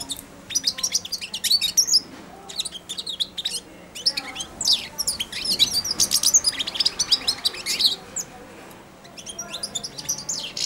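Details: Four-month-old caged European goldfinch babbling its early subsong beside and on a hand put into the cage for daily feeding: dense, rapid high twittering of scratchy chirps and thin whistles in bursts, with brief pauses between phrases.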